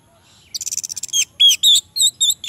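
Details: Singing orange-headed thrush, used to stir silent males: a rapid trill-like run of about ten short notes, then loud clear slurred whistles and two higher twittering phrases to finish.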